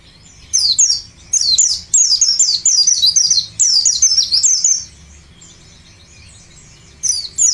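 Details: White-eye, ngalas type, insistent lure song used to prompt other birds to sing: rapid high, thin twittering bursts of sweeping descending notes, several phrases run together with short pauses, then a quieter gap before a fresh burst.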